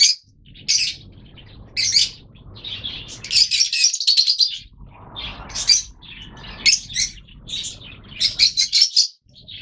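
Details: Several yellow Fischer's lovebirds, a colour mutation kept in captivity, calling with bursts of shrill squeaky chirps and fast chattering runs, loud piercing notes repeated irregularly over faint low background noise.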